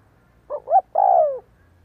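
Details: Single coo phrase from a spotted dove decoy bird trained to provoke wild doves: a soft short note, a rising note, then a long smooth descending coo.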